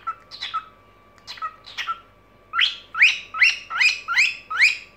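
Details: Pet cockatiel's evening singing: soft chirps with short whistles, then six loud upslurred buzzy calls, evenly repeated about every half second.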